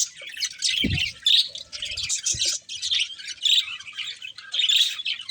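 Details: Breeding pair of budgies warbling with fast high chirps and squeaky notes, interrupted near the first second by a short low knock or thud.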